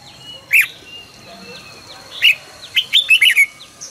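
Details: Red-whiskered bulbul morning song used for training birds to sing in the fired-up 'căng lửa' style: a sharp note, then after a pause a burst of quick, bright warbled chirps repeated in rapid succession, with faint steady whistling in the background.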